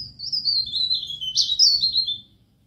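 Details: High, thin warbled phrase from a pied bush chat, pare-pare, in a training recording for songbirds, sliding gradually downward with a brief bright burst near the end, over a faint low rumble.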